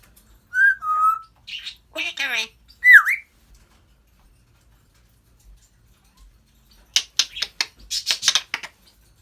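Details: African grey parrot chatters and talks, with a falling whistle, a buzzy harmonic phrase and a swooping whistle, then a pause and a burst of rapid clicking, hissy sounds.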